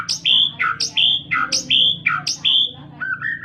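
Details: White-rumped shama in loud, clear song: a fast series of bright whistled phrases, each a high rising flick falling into a lower, sustained whistle, repeated steadily about twice a second, with a low hum behind.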